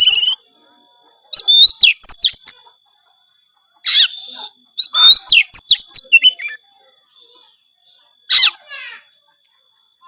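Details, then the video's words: Oriental magpie-robin in full gacor song, full of isian phrases; rapid strings of bright chirps and whistled notes in two long bursts, then a single rasping descending sweep near the end. "suara kacer gacor full isian"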